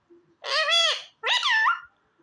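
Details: Talking pet ring-necked parakeet uttering two drawn-out, nasal, speech-like syllables, the second rising then levelling, in a quiet room.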